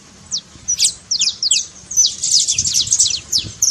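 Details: Saffron finch in trincado style, meant to get a quiet bird singing: scattered sharp high chirps build into a fast dense trill of descending notes toward the end.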